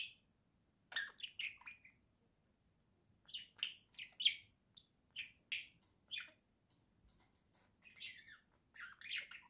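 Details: Pet budgerigars at home giving short scratchy chirps in small clusters, separated by brief silences, the bursts coming irregularly every second or so.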